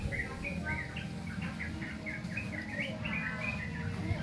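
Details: Young sooty-headed bulbul learning to sing, producing a continuous babbling series of rising and falling chirps, closely spaced and uneven, above a constant low-pitched background drone.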